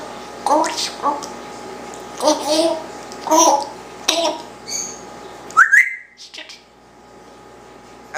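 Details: One-year-old Congo African grey parrot talking indoors, mimicking speech about its tail, kisses and dog: several short word-like bursts in a speech-like voice, then a rising whistled note near the end, in a small quiet room.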